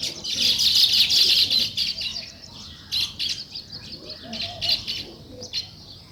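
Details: Sparrows at morning give a busy stream of sharp, high chirps, loudest at the start and then falling into separate quick bursts over a soft background hiss.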